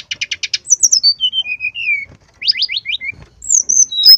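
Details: Brown-chested jungle flycatcher in strong song: five quick buzzy notes, a long cascade of whistles stepping downward, a run of rising slurs, then high sweeping whistles.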